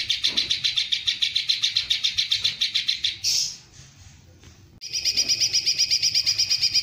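Greater green leafbird delivering long bursts of fast, high, sharp repeated notes, about four per second, briefly broken by a short pause before the rapid volley resumes.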